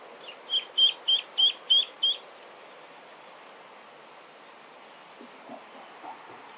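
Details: Young eastern spot-billed duck, a duckling whose voice may be breaking, gives six loud, thin, high-pitched peeps in quick regular succession, then falls silent over faint background hiss and soft distant sounds.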